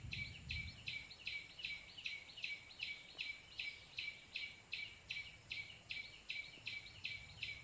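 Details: White-breasted waterhen call played to draw birds in for trapping. Rough, buzzy notes repeat at an even, quick pace throughout. A brief low thump comes at the start, and a low rumble returns near the end.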